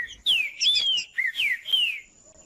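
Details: Green-winged saltator singing to stir up and warm up other saltators: a series of loud, clear, descending whistled slurs, each about half a second, linked into a flowing phrase, with faint background hiss.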